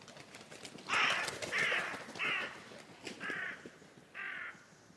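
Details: Carrion crow giving a series of five harsh, hoarse caws, each about half a second long, the first three close together and louder, then two more after short pauses; faint rustling and ticking in the background.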